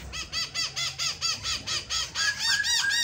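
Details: A captive black-throated laughingthrush repeats rich, arched whistled notes about four per second, then breaks into faster, more varied phrases.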